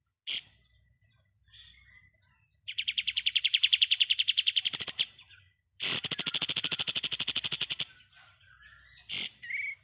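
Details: Pied triller song in the ngebren style, used as a training recording for songbirds. A single high chirp opens, then two fast buzzy trills of rapid repeated notes, each lasting about two seconds, with scattered sharp chips between them.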